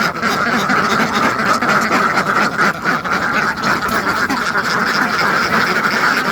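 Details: Farmed ducks by the hundreds quack all together, a thick, constant clamour of raspy calls piled on top of one another, with brief louder surges.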